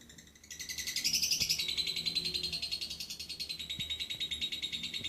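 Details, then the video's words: Lovebird in lively 'gacor' song in the 'nyengklak' style: a rapid, high, buzzy trill of clipped notes repeated about three to four times a second, rising into a bright, intense stretch before settling into a steady pulsing chatter. "Love bird gacor Gaya nyengklak"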